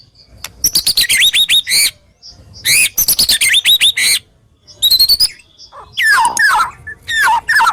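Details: Indonesian murai batu, the white-rumped shama, in a training song full of harsh, sharp 'tembakan' phrases: loud bursts of fast chips and looping high whistles, separated by short pauses, four phrases in all.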